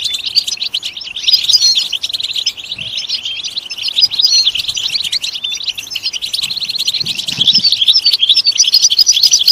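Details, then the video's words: Continuous song of the European goldfinch, meant to prompt goldfinches to sing: rapid, liquid twitters and high tinkling notes pour out without pause and grow louder and busier toward the end. "stimulating and singing the goldfinch"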